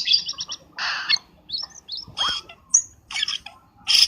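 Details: Black-winged starling lure call, used for trapping birds: harsh, broadband chattering bursts mixed with short whistled slurs and a sharp high note, delivered in irregular spurts separated by brief pauses.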